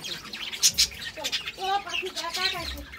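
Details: Budgerigars, a pair of pet birds, chattering in soft warbling notes with sharp high chirps and rapid squeaky twitters running throughout.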